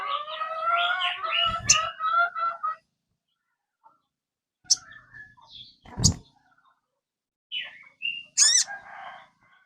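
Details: Sogon, a kept bird, singing to prompt another caged bird to sing: rich warbled phrases with stacked harmonics for about two seconds, then scattered sharp notes, clicks and short whistled bursts after a pause.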